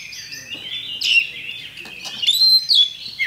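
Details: Champion Oriental magpie-robin song, used as a lure to spur other birds to fight: a continuous, high, varied warble of twittering phrases with sharp rising and falling whistled notes and brief louder bursts.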